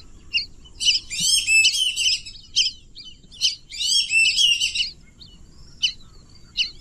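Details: Repeated wild duck calls: two long bouts of shrill, chattering squeals separated by brief single chirps, over a soft low rumble.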